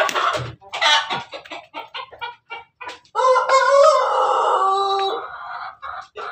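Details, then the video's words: Pelung chicken crowing at night: a run of short, clipped clucks, then one long, steady, harmonic crow held for about two seconds before cutting off, with a brief sound at the close. "ayam pelung malam.hari"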